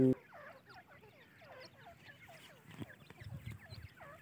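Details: Several francolin chicks give soft, high, curved peeps and chirps in a steady overlapping chatter, with low thumps and handling noise in the background.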